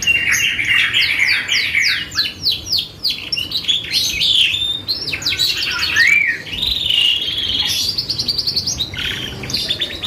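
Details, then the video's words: Energetic canary song used as a lure to provoke other birds to respond: dense high twittering of rapid falling chips, rolling trills and a rising whistled slur, delivered nonstop and loud throughout. "PANCINGAN BURUNG KENARI GACOR"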